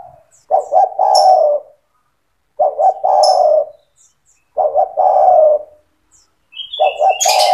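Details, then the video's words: Spotted dove in full, vigorous 'gacor' song, played to train young doves to sing along: low hollow cooing phrases, two or three quick short coos then a longer rolling coo, repeated about every two seconds, with faint high chirps from other birds. "SUARA TEKUKUR GACOR"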